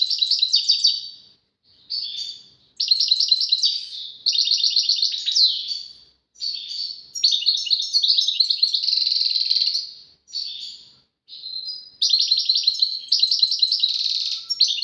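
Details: European goldfinch song with tawawati and tbatbati phrases, presented as a duet: bursts of rapid, tinkling twitters and buzzy trills in phrases of one to three seconds, separated by brief silences.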